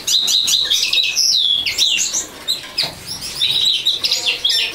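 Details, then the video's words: A linnet sings a lively, jumbled warble of quick high chirps, brief trills and twangy notes delivered in fast bursts, with slight pauses between phrases, and no other clear sounds. "Linnet singing"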